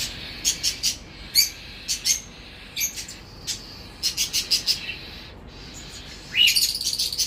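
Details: Baby cockatiels during natural mouth-feeding by both parents give rapid, scratchy, high-pitched rasping pulses in quick bursts of three to five, building to a sustained noisy chatter near the end, over a low constant hum.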